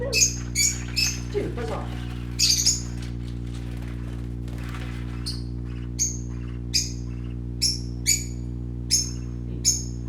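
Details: Playing parakeet chicks chirp in short, high notes, first in a dense flurry, then as single chirps repeated about once a second, over a continuous low hum with a brief voice near the start.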